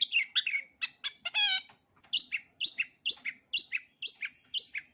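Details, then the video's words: Long-tailed shrike in full repertoire song for young birds to learn. Opening chatter and a ringing harmonic note lead into a steady run of paired, two-part whistled notes that fall in pitch, about two per second. "Cendet isian lengkap, COCOK untuk CENDET MUDA belajar BUNYI, JITU dan GACOR"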